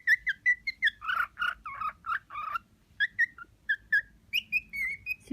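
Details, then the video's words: Six-month-old, newly mature male pet cockatiel singing indoors in courtship to an uninterested female: short clear whistles near the same pitch, then a run of throatier warbled notes, then more bright whistles ending on a drawn-out whistle. "Cockatiel sings to another cockatiel"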